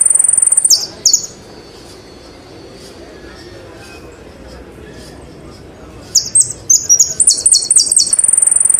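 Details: Saffron finch gives a brief high slurred phrase, pauses for about five quiet seconds, then bursts into a longer string of rapid, very high chipping notes ending in a sustained thin trill.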